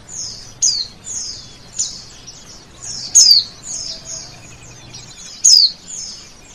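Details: A male oriental white-eye delivers a string of high, falling, whistled notes: three sharp, loud chirps stand out among regular softer sweeps, with a faint low hum underneath.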